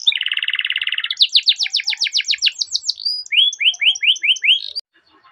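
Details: Training-lure canary song in the long rolling style: a low dense buzzy trill gives way to quick rising-falling notes, then a run of upslurred whistles about five per second before stopping abruptly.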